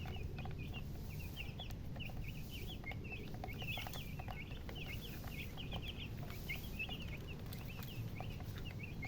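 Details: Baby chicken chicks chirping: steady stream of short high peeps, many with a quick down-up inflection, several per second throughout, over a continuous low hum.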